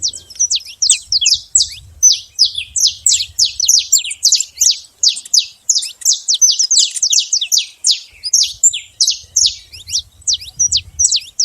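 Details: Free saffron finch singing in the wild: a long, continuous stream of bright, rapid, high-pitched chips for over ten seconds, fast and slightly uneven in rhythm, over a faint low rumble.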